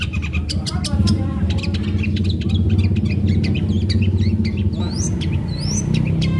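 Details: Long-tailed shrike in fierce lure song meant to make other shrikes join in: busy, chattering stream of quick scratchy notes and thin whistles, ending with two rising whistled sweeps, partly masked by loud low rumble.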